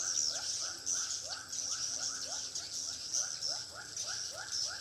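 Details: Swiftlet calls used to attract swiftlets to a bird house in Pekanbaru: short rising chirps repeated about three times a second over a steady high, hissy twittering band.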